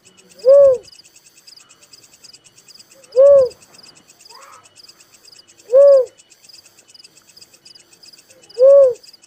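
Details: Four mellow, hollow single notes from a little cuckoo-dove, each rising then falling, evenly repeated about every two and a half seconds, with steady high insect trilling behind.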